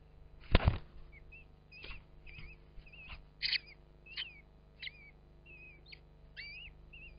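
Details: At a common kestrel nest in a ventilation hole of a field barn above Hubberholme, Langstrothdale, Yorkshire Dales, thin high whistled squeals, rising or wavering, repeat about every second; a sharp thump near the start, low hum throughout.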